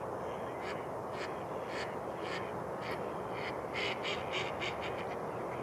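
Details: Mallard flocks gather at Rush Lake, New Brighton, Minnesota, where the spring ice has melted near shore on a mild day. Quacks come in quick, uneven bursts, several birds overlapping, over a steady hissing background.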